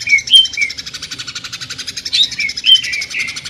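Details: Greater green leafbird (cucak ijo) singing in the jamtrok tembakan style known as the sewing-machine sound: a fast mechanical rattling trill of even pulses running throughout, broken by bright high whistled notes and short slurred chirps.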